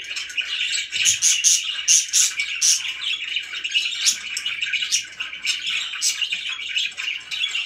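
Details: Budgerigars kept as pets chirp indoors: a steady bed of rapid warbling chatter topped by several sharp, high chirps in quick clusters in the first three seconds, then more scattered bright tweets.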